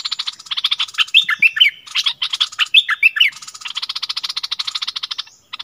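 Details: Decoy Streak-eared bulbul singing, February 2021. Fast buzzy pulsed rattling sets frame a burst of loud, bright chirped phrases with falling slurs, then the dry rapid pulsing returns.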